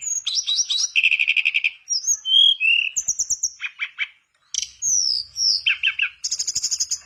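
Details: Mangrove blue flycatcher singing as a lure for a silent mangrove blue flycatcher: dense stuttering whistles, rapid rattled trills, pure high slurred notes, a brief pause, then descending whistles and a fast trill.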